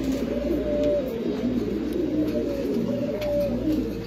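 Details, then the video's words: Deep, rolling coos from white King pigeons, low and throaty, repeated continuously with overlapping voices; other pigeons murmur in the background. "Sada king kobutor। সাদা কিং কবুতর।"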